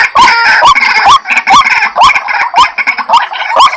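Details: Lure calls for white-breasted waterhen: harsh, overlapping rising croaks about every half second, dense and nasal, with busy clucking filling the gaps.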